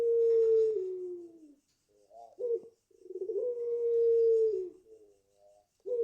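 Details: Long-voiced pelung Barbary dove, five months old and garden-raised, cooing: a sustained, slightly falling hum, a brief gap with a short broken note, then another long even coo that drops at its end.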